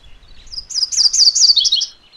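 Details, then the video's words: A MacGillivray's warbler gives a single clear song lasting about one and a half seconds, a quick series of repeated sharp, slurred notes that drops to lower, choppier notes at the close, with faint low rumble beneath. "MacGillivray's Warbler Song ! MacGillivray's Warbler Sounds ! MacGillivray's Warbler Call"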